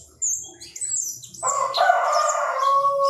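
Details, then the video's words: Chinese francolin crowing: a loud, harsh, nasal burst rich in stacked harmonics, held steady for about one and a half seconds, preceded by thin high chirps from small birds and a sharp upper note. "Tiếng chim ĐA ĐA gáy"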